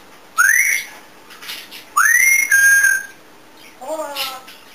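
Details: Pet African grey parrot whistles twice indoors, each a sharp upward-sweeping note levelling off, the second followed by a lower held tone, then a brief murmured sound.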